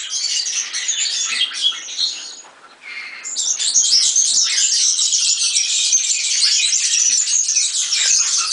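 A European serin sings a fast, high, jingling, sizzling song in nearly unbroken runs, pausing briefly once before launching into another long bright jangle.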